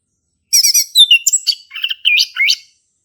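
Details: A male orange-headed thrush in energetic, lively song, used as a prompt for thrushes that have stopped singing, runs high buzzy rattles into a medley of varied warbled and whistled notes.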